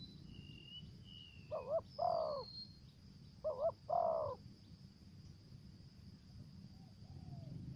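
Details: Spotted dove kept as a lure bird, singing in the 'thổ dế' voice style with 'dập' and 'mai rừng' voice. Two deep, throaty coo phrases, each a short double note followed by a longer rolling coo. Thin high whistles from another bird come earlier, over a faint insect hum.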